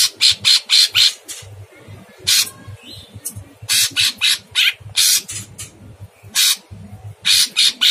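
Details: Sooty-headed bulbul in a masteran recording for training cage birds, with a very harsh voice and long bursts of calling: dense runs of coarse, scratchy notes, about thirty in eight seconds, in irregular clusters over a low background hum.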